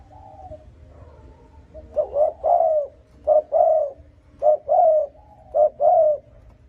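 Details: Provoking coo of a spotted dove, used to lure and excite rival wild males: a soft opening coo, then four quick pairs, each a brief hooted note followed by a longer, falling, mellow coo, at an even pace over a quiet background.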